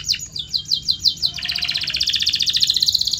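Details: Canary training song with rising whistled slurs repeated about five times a second, breaking into a long, fast, even high trill.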